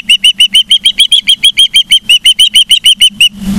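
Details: Osprey at a Charlo, Montana nest, live camera, 15 September 2023, 12:55, calling in a fast, regular string of about twenty high, slightly slurred whistled chirps, closing with a burst of rustling noise.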